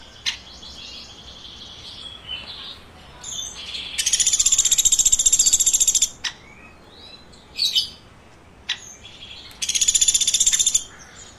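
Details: Woodpecker chirping in two bursts of fast, shrill, evenly pulsed chirps, each about two seconds long, with scattered sharp ticks and faint softer twitters between them.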